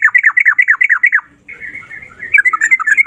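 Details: Sooty-headed bulbul, kept bird, singing rapid rolling phrases of downslurred whistled notes, then a softer, more continuous warbling chatter.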